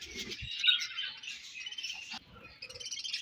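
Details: Budgerigars feeding and passing food, heard as bright high chattering chirps and a sharp squeak partway through, with light tapping sounds below.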